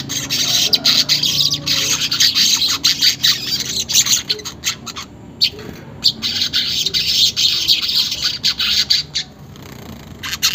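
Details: Weaver chattering song, recorded without editing to prompt caged birds to sing: a continuous harsh, hissing chatter of fast buzzy notes, briefly pausing midway before resuming.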